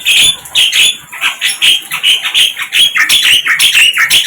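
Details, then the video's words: Flycatcher heard in the wild with a steady, lively series of sharp high chirps and slurred notes, roughly four per second, some rising and some falling. "Sikatan LONDO"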